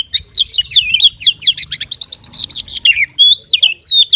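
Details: Oriental magpie-robin, a fighting bird in full song with mastered mimicry fill: a dense, continuous run of high, rapid whistled and buzzy notes and sweeping slurs, with hardly any pause between phrases.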